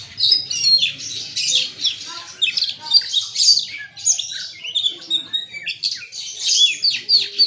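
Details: Magpie-robin (kacer) rattling off copied 'isian' phrases, other birds also heard; rapid, high, jumbled chirps, squeaky whistles and buzzy notes in pulsing bursts about every second.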